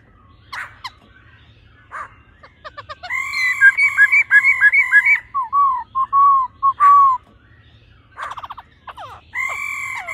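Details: Laughingthrush; female call; female calling to stimulate the male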